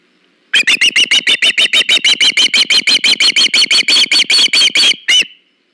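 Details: Wild osprey recorded by a nest cam on August 21, 2019, when a fish is brought in: an insistent run of about twenty-five shrill, slightly hoarse whistled chirps, evenly spaced and fast, ending with one final note.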